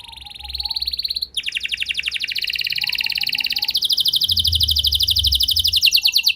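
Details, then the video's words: Canary delivering a trigger song to provoke other canaries to sing: long, dense buzzy trills at high pitch, broken by a brief pause, then resuming at a shifted pitch over a faint low hum. "Bakal Terpancing Jadi gacor Panjang Burung Kenari Lain Segala Kondisi! Ikut Gacor Pasti Ngeplong"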